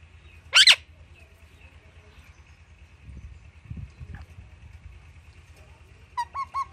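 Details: A pet Alexandrine parakeet, kept with Indian ringnecks and playing with palm fronds, gives one loud, harsh screech, then near-quiet with faint rustling, then three quick nasal, honking chirps.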